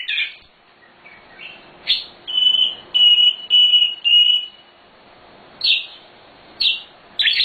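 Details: Nightingale (sikatan londo) song from a master recording for training birds: scattered short whistled bursts, then four loud sustained high whistles in a row around the middle, followed by sparse sharp notes separated by quiet gaps.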